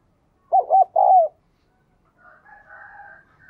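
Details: Spotted dove in captivity, known for a 'đồng kim' voice and frequent cooing, played to stimulate wild-caught doves: one low, wavering coo phrase with two quick notes and a longer falling note, then faint background sounds.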